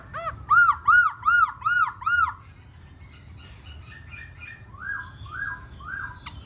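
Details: Black-throated laughingthrush singing while dancing: five loud, clear, arched whistled notes in even rhythm, followed by softer fading phrases.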